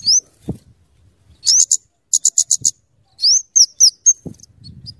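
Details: Scarlet-headed flowerpecker (kemade) song for luring birds: a high upslurred whistle, short bursts of rapid ticks, then several thin rising notes and a brief flat whistle, with faint low knocks.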